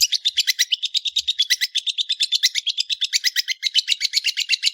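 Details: {'text': 'Long-tailed shrike, called cendet, singing a continuous fast chatter of high, scratchy notes, roughly three per second, without pause for nearly five seconds.'}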